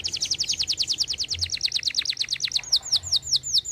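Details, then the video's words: Canary in lively song, used to prompt other birds to sing: a fast high trill of rapidly repeated downslurred notes, about ten a second, shifting after two and a half seconds to slower, clearer curved whistles. "kenari gacor cocok pancing bunyi burung bahan & macet bunyi"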